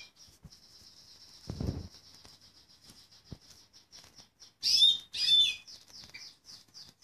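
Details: A male Fife Fancy canary sings a thin, high, rapid trill that runs throughout, broken by two loud, bright bursts of song near the end; a soft thump is heard early on.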